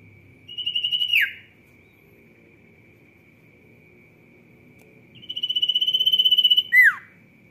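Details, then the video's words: Sirtu singing repeatedly: a short fast pulsed trill ending in a falling slur, then a long pause, then a longer rising-intensity trill of quick pulses finishing with two sharp downward-sweeping notes, over a thin steady tone. "SIRTU GACOR ROCK N ROLL"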